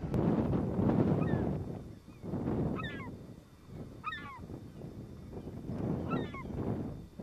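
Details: Small wild flock of Emperor geese on a marsh islet in central St. Lawrence Island, far from any village. Short, high, two-part nasal calls sound in bursts about every one to two seconds over steady, strong wind rumble.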